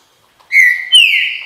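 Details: Short fragment of green-winged saltator song in the "bom dia seu chico" style: two clear whistled notes, the first nearly level, the second higher and falling away.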